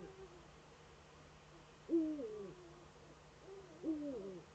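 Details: Courting female Eurasian eagle-owl in a nest niche on a webcam in northern Rhineland-Palatinate, Germany, 10 May 2013, giving two nasal, wavering harmonic calls about two seconds apart against a faint electrical hum.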